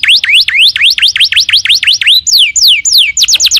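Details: Canary in gacor, full-voiced singing form: a rapid series of loud swooping whistled notes, about ten V-shaped rising sweeps, then falling slurred whistles and a quick burst of short steep notes, repeated several times a second.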